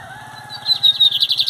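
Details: Brief excerpt of a lined seedeater singing at a 2023 Metálico versus Torneiro contest: a sharp high whistle runs into a quick pulsed trill, with a steady low droning hum underneath.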